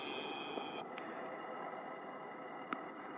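Steady low hiss with faint constant high tones and a few soft clicks and taps, with no animal calls heard.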